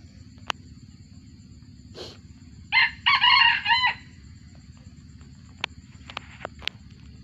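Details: An F1 junglefowl from wild-derived stock, held in a collection, crows once: a short harsh note and a broken, raspy phrase of about a second, with sharp isolated ticks before and after and a faint rustle earlier.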